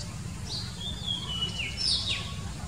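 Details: Wild Oriental magpie-robin singing: a few thin, high whistled phrases, some sliding downward, heard faintly over a steady low rumble of background noise.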